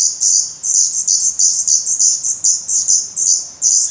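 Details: Hungry Black Redstart nestlings in Portugal, 17 May 2020, give sharp, high-pitched begging chirps, clearly separated and repeated about every third of a second.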